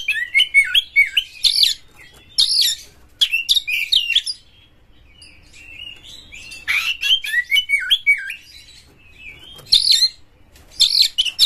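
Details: Lure song of a White-rumped shama meant to stir rival shamas: bursts of sharp buzzy and whistled notes with falling slurs, grouped in phrases separated by brief pauses.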